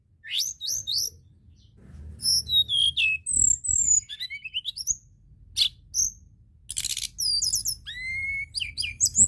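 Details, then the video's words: White-browed shortwing singing as a lure: bright, rapid sequences of high upslurred and downslurred whistles, a short harsh buzzy burst, then a run of rising notes, with low rumble underneath. "Pancingan tledekan Gunung Gacor!"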